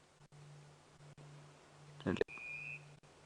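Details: A Brubru, called the telephone bird, gives a single thin, high, slightly trilled ringing note of about half a second on an afternoon safari drive near Djuma, 3 September 2016, over a low engine hum and brief speech.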